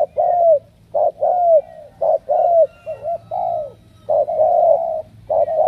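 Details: Spotted dove, Cà Mau, Vietnam, among a picked group of strong cooers: rich low coos in short-long pairs, one long sustained hooting note near the end, steady rhythm, faint hum behind.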